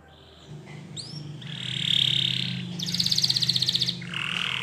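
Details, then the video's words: Spanish Timbrado canary training song over a low background hum: a rising whistled slur, a sustained buzzy roll, a very fast pulsing trill, then a softer warbled phrase. "Your Canary Will Not Stop Singing With This Training Song"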